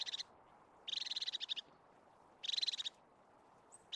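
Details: Crested tit in natural Scottish pine forest habitat: fast purring trills of rapid high notes, two longer bursts lasting about half a second or more, plus one thin high note before a final trill.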